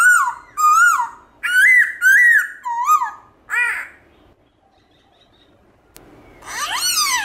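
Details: A black-throated laughingthrush sings forest-voice phrases in the morning. A series of bouncing whistled notes runs for about four seconds, then comes a quiet gap, then a loud rising-and-falling slur at the end.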